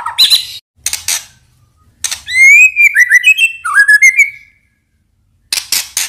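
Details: Indonesian white-rumped shama lure song, full isian, meant to get a silent bird singing: a loud burst of stepped, sliding whistles and quick chirps between harsh rasping notes, with a silent gap before more rasps.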